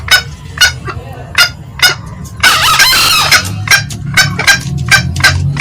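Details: Green junglefowl, male and female, loud lure recording of cackling: short sharp clucks repeated about every half second, broken by a louder harsh, ragged burst near the middle, over a low steady hum.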